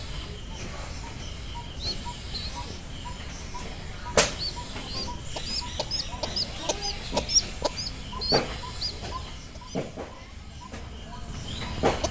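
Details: A young village pigeon gives thin, high squeaky peeps in quick irregular bursts, with a few loud wing flaps and knocks mixed in.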